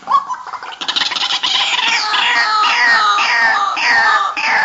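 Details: White-breasted waterhen lure call for daytime use: loud, harsh, croaking notes repeated about twice a second in a steady, clucking series.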